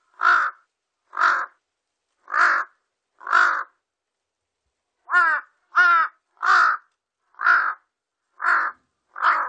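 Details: Large-billed crow recorded in 2020 giving loud, harsh caws, about eleven in a steady series roughly one per second with a short pause midway; a few calls are more nasal and wavering; otherwise silent background.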